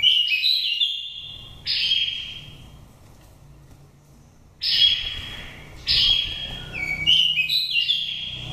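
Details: Oriental magpie-robin, a nest-raised bird from Dak Lak aged five seasons, with a pure wild-type voice used as a lure. Bursts of clear whistled notes that slide and step between phrases, separated by silent pauses of one to three seconds.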